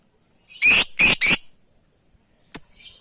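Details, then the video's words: Lovebird calling out to its companions: three harsh, buzzy, high shrieks in quick succession, then after a pause a sharp single chip and a thin, hissing trailing note. "Suara burung love bird memanggil kawan"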